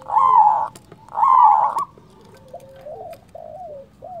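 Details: Loud local zebra dove used as a lure to draw answers from rival doves: two long hoarse coos, followed by a string of soft, low, short rising-and-falling notes.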